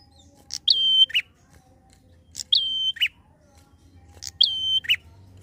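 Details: Prinia singing in the lively fast ngalun style, used to provoke other prinias: each phrase is a brief sharp note, a level high whistle held about half a second, then a short lower buzzy burst, repeated about every two seconds over a faint low hum.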